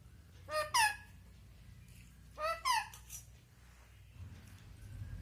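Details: Indian ringneck parakeet kept as a talking pet, taught to say papa and mummy. Two quick paired syllables, each a harmonic, nasal, speech-like double note, sound about two seconds apart, with a quiet indoor room hum between them.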